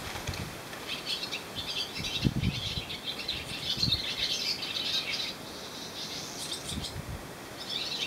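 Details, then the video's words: Swallows on a wire on the Croatian island of Susak sing in a lively stream of high chirps and twitters, broken by a brief lull, with scattered low thuds. "Lastavice sjede na žici i pjevaju"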